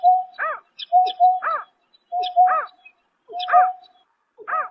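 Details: Night calling of a greater painted-snipe in March 2024: level humming notes lead into arched, rich hoots, repeated roughly every second, with faint higher squeaks between them and a quiet background.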